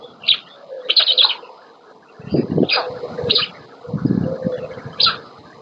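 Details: Feeding time at a black stork nest in Łódź, Poland, 27 May 2020, the female bringing the chicks' first meal: a few spaced buzzy high notes mixed with dull low knocks and rustling.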